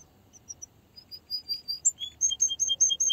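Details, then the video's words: A canary sings a sequence of separate high whistled chirps, growing louder and alternating between two pitches in a quickening pattern. "Canary singing"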